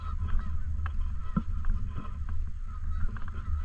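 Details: Canada geese honking in and around a park lake: short, nasal honks scattered through the clip from several birds, some overlapping, over a constant low rumble of wind or handling noise and a faint steady hum.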